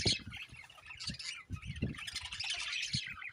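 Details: Budgies chattering continuously in a dense, buzzy warble of quick chirps and squeaks, with low knocking thumps beneath throughout.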